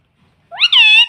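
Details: Pet parrot kept indoors, talking and imitating the word 'mummy': one loud, harmonic, voice-like phrase about half a second long that rises and then holds steady, heard after a brief silence.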